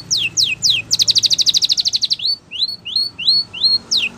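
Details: A Spanish Timbrado canary sings champion training song: three steep falling sweeps, a rapid metallic rolling trill of about fifteen pulses, then evenly spaced rising whistled notes.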